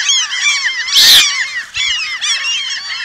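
Eurasian coots in a noisy crowd, many short, nasal, honking and yelping notes overlapping without pause, with one harsh loud burst partway through.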